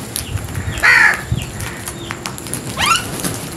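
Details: A single loud, harsh crow caw, followed by fainter thin chirps and squeaks from other birds over low background noise.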